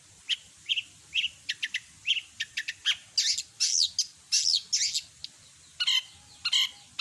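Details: Long-tailed shrike in active song, with a complete repertoire of imitated birds. Quick, varied chirps and twitters tumble out, broken by short pauses, then louder scratchy bursts.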